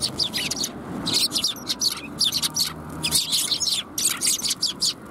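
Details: Sparrows come for food at a Tenmangu shrine, January 28, 2021. Busy bright chirping comes in quick clumps of several notes, broken by short gaps, over a quiet low background rumble.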